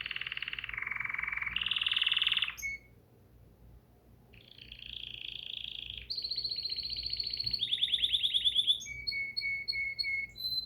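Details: Bulbul song in separated phrases: a harsh churring trill that rises, a silent gap, then buzzy trills at shifting pitches and a closing string of short whistled notes.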